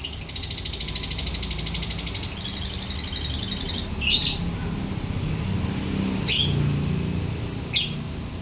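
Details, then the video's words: Lovebird chattering busily, a fast continuous buzzy rattle for about two seconds, then a few short sharp chirps; steady vehicle rumble underneath. "Lovebird rajin ngekek"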